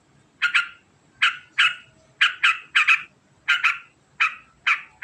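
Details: Sooty-headed bulbul ngekek chatter, here slower: harsh, raspy notes mostly in doubled pairs, spaced roughly half a second apart against a quiet background.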